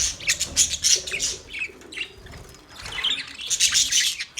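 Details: Several male budgerigars give rapid, shrill, buzzy chirps in a busy stream, easing off briefly midway before resuming.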